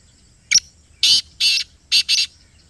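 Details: Black francolin from Pakistan giving its loud rasping call near the microphone: one short piercing note, a pause, then four broad buzzy notes ending in a close pair.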